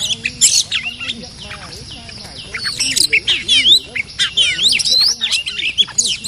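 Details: During decoy luring, a fiercely territorial resident Oriental magpie-robin and others give a fast jumble of bright whistles, sharp chirps and scratchy notes, many overlapping, over a low murmur.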